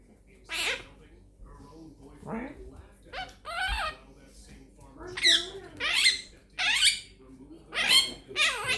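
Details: Pet Quaker parrot chatting and talking, a bird that says peek a boo, making bacon pancakes, give me a kiss and thank you baby; rasping speech-like bursts come roughly every second, with a person's voice between.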